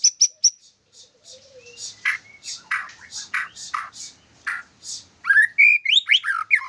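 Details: White-rumped shama opening with sharp high chips and a series of harsh, buzzy notes about two per second, then switching to rapid rising and falling whistles.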